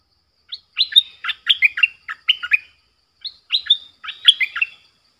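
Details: Streak-eared bulbul kept as a lure bird, calling to draw in wild birds: two quick bursts of bright, slurred chirps, about six notes each, with a short pause between bursts, over a quiet, clean background.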